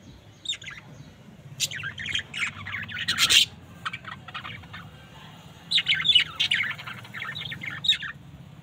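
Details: A pair of budgerigars chirping in scattered bursts of short, bright high-pitched notes, with quiet gaps between clusters and a low steady hum underneath.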